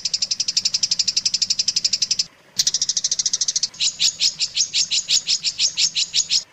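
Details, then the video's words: Long-tailed shrike master recording used to train other shrikes: dense buzzy trilled bursts with a short silent gap, then slower, louder rhythmic chirps at about three per second. "suara masteran burung cendet paling di cari"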